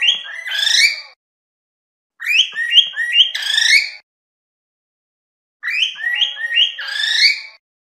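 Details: Cockatiel, locally called karawan, singing three loud whistled phrases of stepped, warbling notes that rise and fall, each phrase lasting one to two seconds with quiet gaps between.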